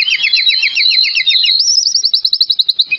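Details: Vigorous male Oriental magpie-robin, sung as a lure to prompt other magpie-robins: a rapid, buzzy trill that climbs into a higher run of quick, evenly repeated notes, about three seconds long.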